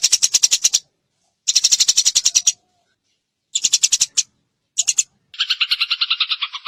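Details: Eurasian tree sparrow nyrecet song for masteran training to provoke singing: clipped bursts of rapid dry chirping separated by pauses, ending in a lower, buzzier rattle.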